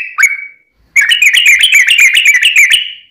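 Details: Yellow-vented bulbul singing a long rapid-fire fighting-style song meant to draw replies from other bulbuls; one drawn-out whistle, a pause, then a fast bright chattering run of about four notes per second.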